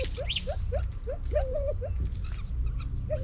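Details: Edwards's pheasant from a conservation breeding population for Vietnam produces a quick series of short upslurred notes, about four per second, then a longer wavering whistle, against low mechanical hum and a brief high chirp.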